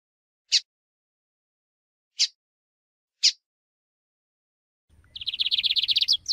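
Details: Three isolated sharp clicks spaced over a few seconds, followed by a Lined Seedeater breaking into a fast, high, rattling trill of rapidly repeated notes, with a faint low hum beneath.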